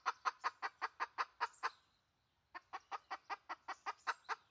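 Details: Wild red junglefowl hen clucking in two bursts of about nine quick, ringing notes each, separated by a short silence, with low background rumble.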